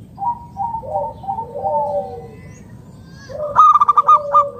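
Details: Zebra dove of local wild stock, calling to coax other doves into song; gentle stepped coos give way to a loud series of quick clipped notes and a lower falling coo.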